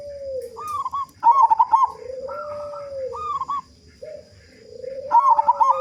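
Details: Local zebra dove singing as a lure to make other doves sing quickly: clipped cooing notes and rolling trilled phrases alternate with long low drawn coos, several phrases packed into a few seconds.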